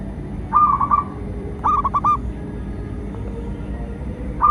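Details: Zebra dove (local perkutut) song meant to draw wild doves and train captive ones; a trilled cooing phrase, then a stuttering series of soft notes, and another phrase beginning at the end, low background rumble throughout.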